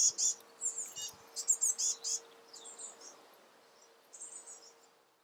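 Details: Fledged juvenile great spotted woodpecker being fed by its mother gives very high, scratchy chittering bursts in quick clusters, fading toward the end, over a faint steady low hum.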